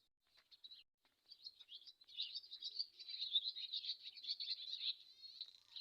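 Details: Swallow starting with a few sparse chips, then building into an unbroken, rapid twittering warble of scratchy and whistled notes that runs to the end.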